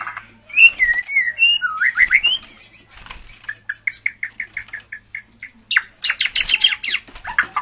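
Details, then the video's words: White-rumped shama (murai batu) singing gacor: looping whistled phrases, then a string of short clear notes repeated about three per second, ending in harsher high buzzy notes. "Murai Batu GACOR"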